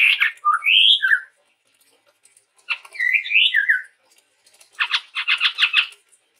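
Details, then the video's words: Male chestnut-rumped babbler from Sumatran forest in full voice: looping slurred whistled phrases rising and falling, then a fast series of five harsh buzzy chatter notes. "suara burung tepus tunggir merah gacor"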